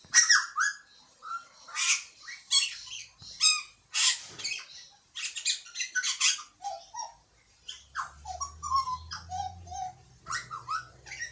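A butcherbird sings a varied run of harsh, chattering notes broken by short, clear fluted whistles, with a low steady hum underneath toward the end.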